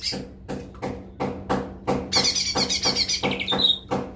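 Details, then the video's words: Lesser green leafbird (cucak ijo mini) song: sharp clicks repeated about twice a second, then a stuttering, high, buzzy trill ending in a short, falling whistled note. "suara cucak ijo mini"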